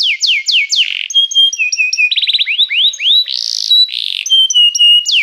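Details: Canary singing to invite other canaries to sing, as a training song: descending whistles, then varied tours of flat tones, fast rolling trills, rising slurs and harsh buzzy bursts in quick succession.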